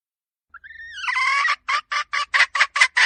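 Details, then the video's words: Domestic hen opening with a rising, whining drawn note that breaks into a string of short rasping clucks at an even pace, about three per second. "Suab poj qaib seev zoo cuab tuaj zoo heev"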